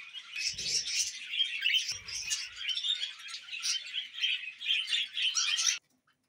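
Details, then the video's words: Pet budgerigars warbling and chirping nonstop in scratchy rapid phrases, with a couple of soft thumps early on, ending abruptly in silence. "Budgies Moments Collection ( Part 15 )"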